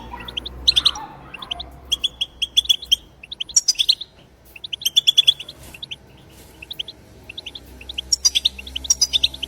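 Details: European goldfinch singing outdoors, a recording meant to prompt goldfinches to sing: bursts of sharp, high, liquid notes repeated in quick runs, broken by short silences, with a faint low rumble underneath.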